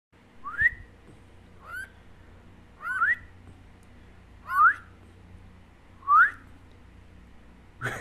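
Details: Pet cockatiel being trained gives clear, rising whistles, repeated about every one and a half seconds.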